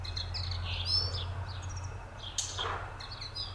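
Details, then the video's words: Common linnet, nominate subspecies, in song: quick chattering twitters and short whistled notes in a loose, uneven stream, a sharp click-like sound partway through, and a constant low hum underneath. "Bluthänfling singend"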